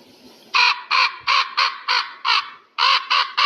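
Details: Eagle giving a run of loud, rasping notes repeated steadily, roughly three per second, a short pause, then three more in a row.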